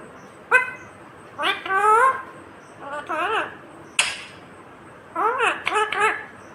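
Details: Green Indian ringneck parakeet talking: several bursts of shrill, speech-like syllables with wavering, rising and falling tones, separated by short pauses in a quiet room.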